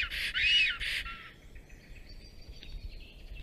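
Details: Black storks at an occupied nest on 30 April 2022 around midday. The male drives off an intruding strange female after the pair's greeting. A loud burst of grating, hoarse calls is followed by faint background twittering.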